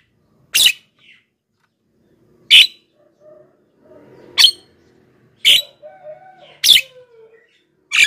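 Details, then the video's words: Javan myna calling, a lure for wild birds and a master for captive birds reluctant to sing; loud harsh squawks every one to two seconds, with faint softer chatter and low warbling notes between them. "masteran JALAK KEBO super gacor,pancingan untuk bahan dan jalak yg malas bunyi"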